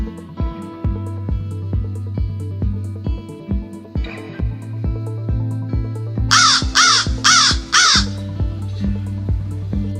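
Four harsh, hoarse caws come in quick succession near the end, over steady rhythmic background music with a plucked beat.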